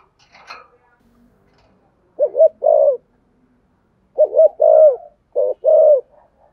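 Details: Spotted dove used to lure wild doves, giving paired throaty coos in three bursts, each a short note followed by a longer rounded one, after a brief faint rustle at the start.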